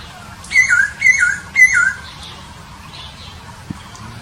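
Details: Papuan poksay recorded at Nabire, Papua, 26 December 2021: three evenly spaced two-part whistles, each a level note dropping to a lower slurred note, then quiet with a faint click.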